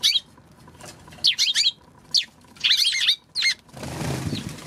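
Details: Eurasian tree sparrow recorded March 16. It gives scattered bursts of bright, high chirps, some clustered in rapid twos and threes. A broad rustling, flapping noise takes over near the end.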